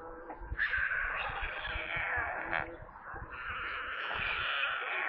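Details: Stork nestlings at a nest near Kaluga in central Russia squeal for food on a live nest stream. A rasping, breathy chorus swells and dips without a break, over low thumping and rustling from the nest.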